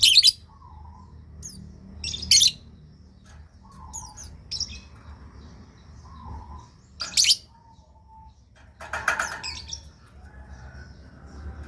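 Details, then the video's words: Lovebird calls used as a lure to prompt other lovebirds to answer, for beginners: shrill, harsh screeches in short bursts, about six spaced irregularly over twelve seconds, with softer thin chirps and a low steady hum between them. "pancingan love bird buat para pemula di jamin langsung nyautt"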